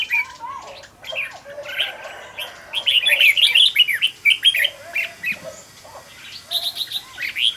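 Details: Red-whiskered bulbul decoy bird being trained to sing fast and strong; quick liquid whistled phrases in rapid bursts, densest in the middle, with softer low warbles between and a final sharp run of notes.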